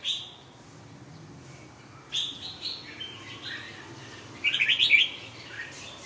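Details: Red-whiskered bulbul giving short chirping notes spread through the recording, ending in a loud, fast, warbling burst of about five bright notes near the end.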